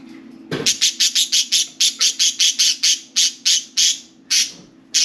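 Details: Four budgerigars playing and talking inside and on top of their cage; a rapid, even series of about sixteen sharp, high, scratchy chirps, roughly four per second, with a thump at the start and low background hum.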